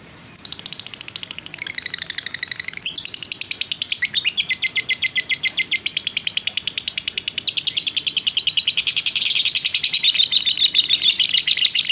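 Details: Fighter lovebird giving a long ngekek, a nonstop chattering trill used as training and lure audio to provoke other lovebirds; rapid, even, high-pitched buzzy notes pour out several per second, briefly broken early, then growing louder and denser.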